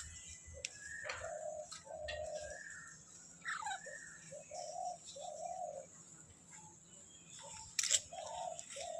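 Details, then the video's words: Young Alexandrine parakeet gives a string of short, slurred, mid-pitched notes, some falling, some lower and rounded, in irregular groups, with a brief sharp rustle near the end and a low hum underneath. "Alexander baby parrot"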